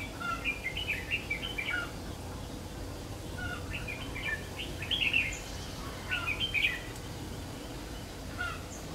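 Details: Red-whiskered bulbul used in trapping, a bird nearly through its moult, recorded 3 September 2019: short bursts of bright, warbled, chattering phrases at roughly one- to two-second intervals, over a steady low rumble of outdoor background noise.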